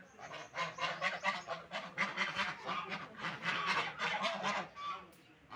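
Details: Several ducks feeding and drinking call together in a busy stream of rough, nasal honks and squawks that rise and fall in bursts, fading briefly near the end.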